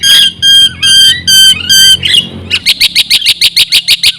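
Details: Black-winged myna in full song, used as a lure to excite other mynas. Five separate whistled, slurred phrases, followed by a fast run of loud, rasping chattering notes.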